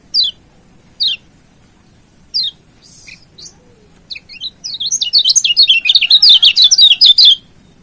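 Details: Yellow white-eye from Lombok used as a training master song to provoke a rival: spaced, sharp descending chips build into a lively, rapid warble of high whistled notes for about two and a half seconds.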